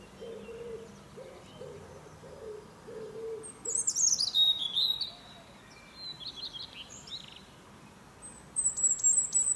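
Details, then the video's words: Morning song of a European robin perched in a fir: soft low hooting notes from another bird come first, then high, sharp, descending whistled phrases, a short break, and a final brief high trill. "Niesamowity śpiew rudzika."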